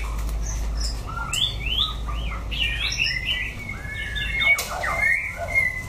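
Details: Wild-style singing from an orange-plumaged white-rumped shama: scattered clear whistles, upward and downward swoops and short chirps, spaced irregularly, over a low background hum.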